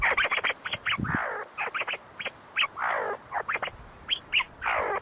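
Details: A group of See-see partridges feeding and fighting on rocky lowland ground at the University of Sulaimani, Kurdistan, giving quick bursts of sharp, clipped notes, broken every second or so by a longer harsh call that slurs downward.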